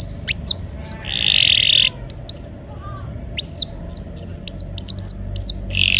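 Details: Canary singing in a rolling style played to get quiet canaries to sing: scattered high, hooked whistle notes, partly in quick pairs, broken by dense buzzy bursts near the start and end.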